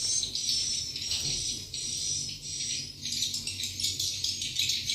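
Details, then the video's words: Swiftlet lure sound played to attract swiftlets to roost, mate, nest and breed: dense, buzzy high chattering twitters in overlapping pulses, with a steady thin whistled tone running underneath. "INI SUARA INAP YANG PALING DISUKAI BURUNG WALET."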